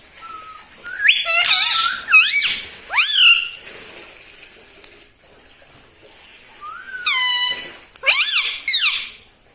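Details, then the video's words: Pet parrot said to talk, saying "mitthu mitthu" and "mummy"; two groups of strained, rising and falling voice-like squawks separated by a quiet pause indoors. "TALKING PARROT - MITTHU MITTHU - MUMMY BOLNE WALA TOTA"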